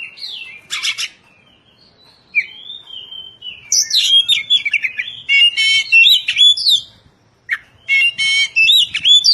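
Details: Training song for caged Oriental magpie-robins in the 'tembakan rapat' style: harsh buzzy bursts, long sliding whistles, then rapid packed trills and chattery notes running almost without pause.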